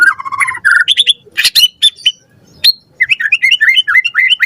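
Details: Lure song of a white-rumped shama, a bird in full voice packed with varied filler phrases: descending whistles, sharp high chips and a short pause, then rapid repeated up-slurred whistles.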